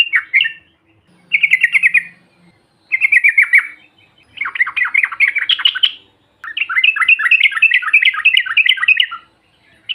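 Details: Group calls of yellow-vented bulbuls, used to provoke silent birds into calling: five chattering bursts, the first ones short and evenly pulsed, the last a long, busy run of rising and falling notes.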